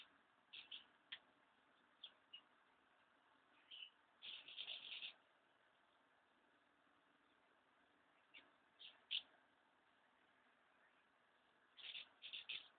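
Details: House martins in a large group, ready to depart from their nest sites: scattered dry chirrups and twittering bursts, some single and some in rapid runs, coming in clusters every few seconds against quiet background noise.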